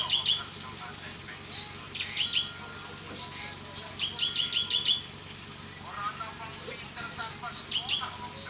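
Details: Ciblek, the bar-winged prinia, giving energetic semi-ngebrem song: rapid series of piercing high chirps in short bursts separated by quieter gaps, with some lower fluttery notes and faint background hum.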